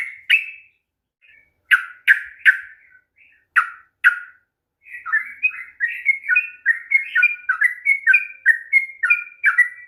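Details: Sooty-headed bulbul song meant to stir a reluctant bird: a few scattered sharp chirps with pauses, then from midway a fast continuous string of bubbly two-tone whistled notes.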